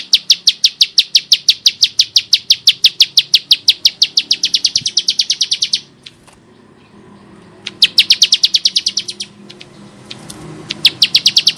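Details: A captive Bar-winged prinia (Prinia familiaris) in full harsh-voiced song gives fast, rasping high-pitched notes, about three per second, in long repeated bursts with brief pauses between phrases.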